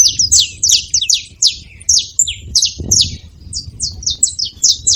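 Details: Saffron finch producing dense, hurried chipping: shrill notes sliding downward, clustered tightly with a few thin whistled strokes mixed in, one brief low thump midway.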